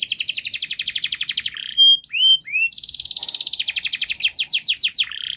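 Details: Domestic canary giving rapid, close-packed gacor song to prompt young birds: a fast high trill, a held whistle and two rising whistles, then a long run of quick buzzy notes ending in downslurred sweeps.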